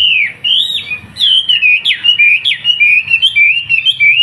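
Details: Wambi song recorded in Surabaya for tutoring young trucukan bulbuls. Continuous bright whistling, slurred notes gliding between tones with sharp upswept accents, sung without pause.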